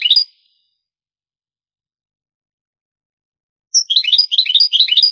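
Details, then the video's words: European goldfinch on an old Spanish recording of the Granada song style, dating from the 1980s–90s and digitised from cassette: a brief twitter, several seconds of silence, then a lively burst of high, rapid chirping phrases with tinkling trills. "CD ANTIGUO DEL CANTO DEL JILGUERO Años 80-90 شريط تغريد إسباني قديم"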